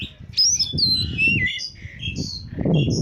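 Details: Oriental magpie-robin in peak form, its song used as a bird lure: high sweet whistles and warbled phrases running together over a fairly loud low rumble in the background.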